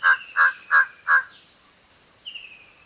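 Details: Large-billed Crow making a rapid series of four short, hoarse caws about a third of a second apart, followed by faint thin whistles from another bird in the background.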